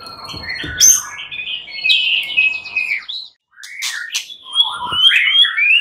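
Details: Agitated white-rumped shamas, fighter birds, joining in to answer. Warbling, sliding whistled phrases run over a faint low rustle, pause, then resume with high thin notes and lower rising slurs.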